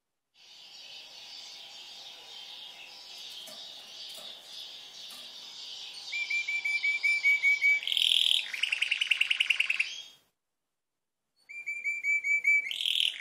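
A red canary sings long varied phrases: rapid buzzy trills and steady high rolls, broken by a brief pause before another bright trill starts.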